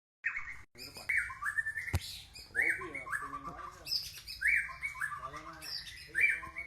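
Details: White-rumped shama singing a run of loud clear whistled phrases that fall slightly, with nasal, harmonic-rich notes between them and one sharp click near the two-second mark.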